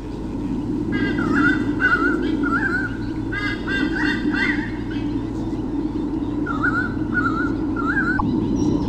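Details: White-bellied sea eagle pair, male and female, defending territory from swooping currawongs at Sydney Olympic Park, Australia, 2013, nest camera: loud honking, yelping calls in rapid runs of notes, pausing mid-clip then resuming, over a steady low hum.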